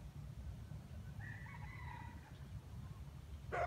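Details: Wild junglefowl crowing with an earthy voice, used as live bait in a trap: one distant, drawn-out harmonic crow lasting about a second, set against a steady low rumble, with a sharp knock at the end.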